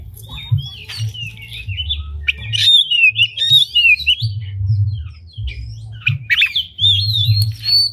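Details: Oriental magpie-robin singing a varied song with tail open, used to excite other magpie-robins: continuous bright whistled phrases that swoop up and down, interspersed with sharp clicks, over a constant low hum.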